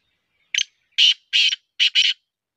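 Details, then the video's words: Sindhi-strain black francolin, a chakri-type bird, giving a harsh rasping phrase of five notes: one short opener, then two paired grating notes, then a final quick pair, on a quiet background. "Chakre vale sindhi nasal ke kaly titar | چکری والے سندھی نسل کے کالے تیتر"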